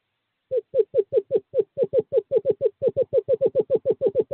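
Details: A male screech owl summons a female to owl box 5 during courting season, 2/11/2023, with an unbroken rapid series of some twenty-five low, hollow notes at an even pace.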